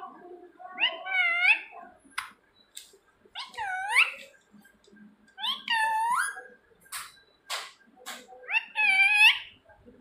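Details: A pet talking parrot, known to call out "Mitthu! Where are you?", talks in four high, nasal, speech-like phrases about two seconds apart, with sharp clicks and hissy syllables between them in a small room.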